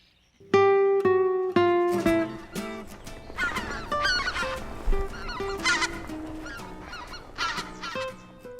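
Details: A wintering V-formation flock of Greater White-fronted Geese flying along the Imjin River in daytime, in Korea, gives rich, nasal honks about twice a second, then overlapping higher yelps, communicating to swap positions; soft music underneath.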